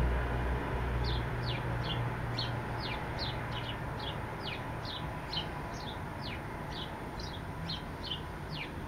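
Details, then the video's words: A singing sparrow gives a steady, evenly spaced run of clear high chirps, each slurring quickly downward, about two per second, over low droning noise. "sparrow sings"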